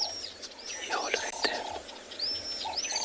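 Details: Little Swifts at sunrise on 29 January, Tswalu Kalahari Reserve, South Africa, sweeping down to drink, give faint, high, thin drilling trills in quick bursts, with a person talking quietly underneath.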